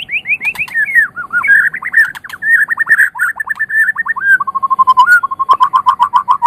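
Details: Tutor recording of white-rumped shama song for training other songbirds: loud, rich whistled phrases sliding downward, then steady rapid repeated notes in the second half, clear and dominant throughout.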